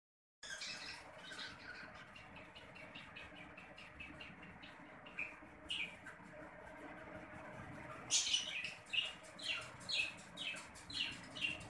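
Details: Two newly hatched zebra finch chicks give thin, high, rapid chirps, repeated about twice a second in soft bursts.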